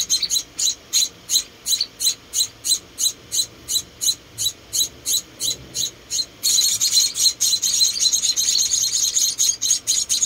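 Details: Four tiny rescued Munia chicks being hand-fed indoors: thin, high-pitched chirps repeat steadily about three times a second, then after six seconds break into a dense, overlapping, excited chorus.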